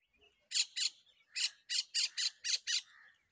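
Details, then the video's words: Myna in the desert of south Punjab giving harsh, squawky bursts: eight rough, noisy notes in about three seconds, in uneven pairs and runs, with a faint lower buzz trailing at the end. "Cute Beauti myna Sound |Myna Sound Desert punjab"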